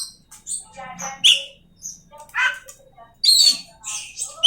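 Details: Oriental magpie-robin delivering a varied, broken phrase: scratchy chirps, short squeaky notes and buzzy bursts, separated by brief silences.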